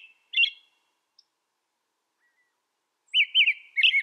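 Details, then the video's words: American robin in North America giving one short warbled phrase, then a long silence, then a quick series of looping whistled notes near the end. "American Robin Bird Song Sound"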